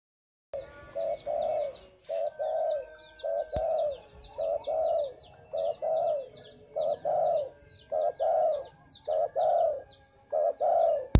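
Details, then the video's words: Spotted dove calling actively: a steady series of husky, mid-pitched coos, each about half a second long, with roughly one phrase per second and short breaks between groups. Many small birds chirp continuously at a higher pitch behind it. "Burung derkuku/deruk mbekur gacor"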